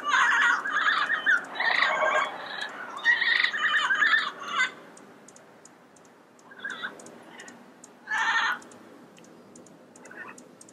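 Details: Wild yellow-headed parrots squabble in a dense burst of rapid, overlapping rasping squawks for four seconds, followed by quieter spaced calls and one loud squawk.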